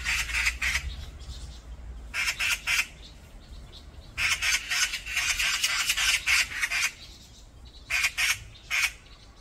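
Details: Brown-eared bulbuls in a group fight on a mountainside: bursts of harsh, raspy squawks in rapid series of about four per second, separated by short pauses, several birds calling over one another.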